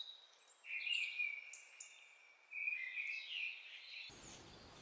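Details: Mistle Thrush song taken through a homemade parabolic microphone: two loud, clear whistled phrases with sustained fluty notes and quick ornaments, then an abrupt cut to steady broadband noise near the end.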